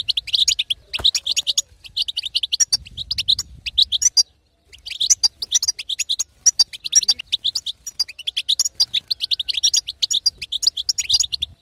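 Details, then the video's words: European goldfinch female song used to stimulate a silent male to sing; rapid twittering bursts of bright high notes in long phrases, a short pause near four seconds, faint low rumble beneath. "أقوى بتبته حسون تهيج وتهبل الحسون الساكت"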